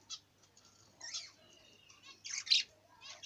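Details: Budgerigar calling: scattered short chirps and a warbling buzzy phrase with a thin sustained whistle, louder burst of harsh chatter near the end, fairly quiet overall with a faint low hum.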